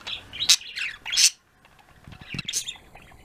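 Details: Pet budgerigar flock chattering in the afternoon, busy bursts of high warbling chirps and trills, a brief pause, then more overlapping chirps.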